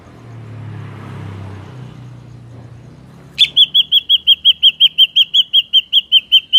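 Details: Ashy drongo call used as a trapping lure: after about three seconds of low rumbling background noise, a long fast series of short, clear, slurred whistles begins and carries on steadily to the end.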